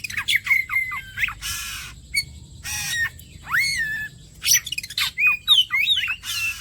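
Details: Oriental magpie-robin (kacer) song used as bait to prompt other birds to sing: loud, varied bursts of sharp whistled notes, rising and falling slurs and harsh buzzy squawks, delivered in quick phrases separated by brief pauses.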